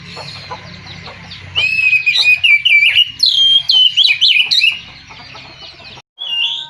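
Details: White-rumped shama singing a lively sequence of whistled, slurred and chipping notes for several seconds, then a brief silence and a final clear whistle; soft hum in background.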